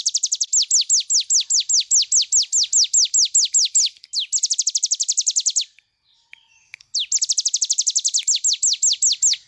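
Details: Cigun bird in full song, a recording meant for tutoring other birds: rapid runs of high, sharply down-slurred whistled notes, roughly two or three per second, broken by a short pause before the bursts resume.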